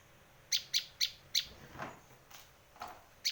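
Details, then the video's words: Bar-winged prinia, Indonesia, used for luring and training birds: four quick, sharp chips close together, followed by a soft broadband rustle and one final chip. "Suara masteran dan pikat burung Prenjak lancur"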